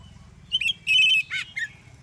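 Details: Oriental magpie-robin singing loudly in the morning, a song meant to provoke other magpie-robins into answering: a rising whistled sweep, a steady shrill whistle, a buzzy burst, then a short falling note. A low hum sits underneath.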